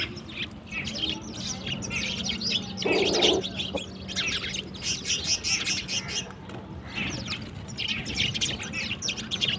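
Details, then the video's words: Morning sparrows drinking and playing at water, giving busy bursts of sharp, high twittering chirps in waves, briefly pausing before resuming, over a low constant hum. "sparrows in the morning"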